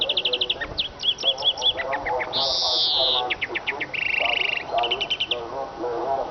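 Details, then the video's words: Eurasian siskin twittering: fast dry trills, short upslurred notes and a drawn-out wheezy buzz near the middle, then a rattling trill, over a steady low harmonic hum of background music or voices. "iskete kusu sesi"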